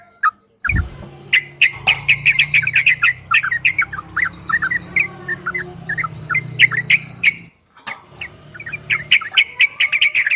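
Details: Yellow-vented bulbul in a dense, rapid 'ropel' song: chattering, bubbling notes packed closely together over a low background rumble, broken by a short silence before resuming.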